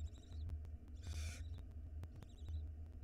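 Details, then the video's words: Barn owl nestling at a nest cam in Israel, in the season its egg-laying began in February 2022, feeding as it swallows a mouse whole; one short broadband hissing screech rises over a steady low camera hum and clicks. "Small barn owl nestling swallows mouse whole"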